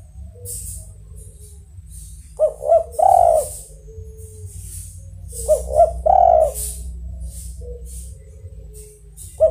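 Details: Spotted dove giving its melodious coo twice, about four seconds apart, each two short notes and a long one, with bright metallic jingling sounds between the phrases.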